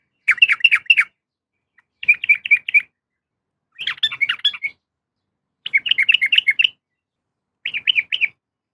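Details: Calling female sooty-headed bulbul seeking a male: five clustered bursts of quick chattering chirps, each about a second long, separated by gaps of roughly a second.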